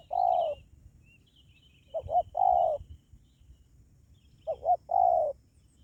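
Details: Luring call of a spotted dove aimed at wild doves: three phrases, each a quick double note leading into a mellow falling coo, spaced about two seconds apart, with faint high twittering of other birds.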